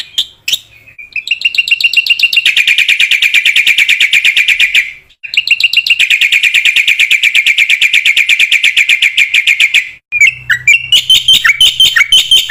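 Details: Black-winged myna training song for other mynas: long, loud, rapid trilled rattles held steady for several seconds, broken by brief gaps, ending in sharper varied chirps with a low hum beneath.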